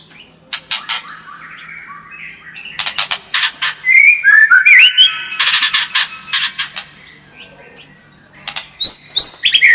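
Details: White-rumped shama song used as a lure to make the bird more combative: loud bursts of harsh, clicking notes alternate with high, rising and falling whistled slurs, with quieter gaps between phrases.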